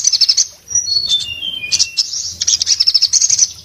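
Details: Orange-headed thrush in breeding condition, in full song with open beak, said to make others of its kind sing: varied whistled notes stepping downward, then fast high chattering trills repeated in quick pulses.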